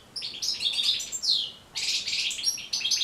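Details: European goldfinch singing, a recording meant to teach and encourage goldfinches to sing: lively, liquid twittering with tinkling high notes, one clear down-slurred whistle midway, then a brief pause before the twitter resumes.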